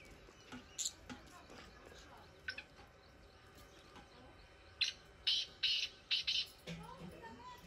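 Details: Black francolin calling in village fields: after scattered faint chirps, a loud burst of five or six harsh, grating notes in quick rhythmic succession near the end, with light background noise.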